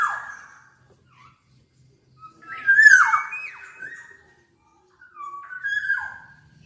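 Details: Black-naped oriole in full, lively song: a short fluty whistle at the start, then rich slurred whistled phrases rising and falling, followed by a pause and a second mellow whistled phrase.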